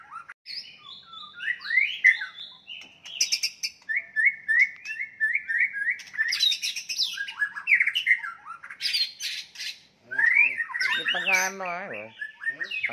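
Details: Fighting song of the white-rumped shama, used to provoke rivals: long varied sequence of whistled slurs, repeated short notes and harsh, buzzy rattling phrases near the end.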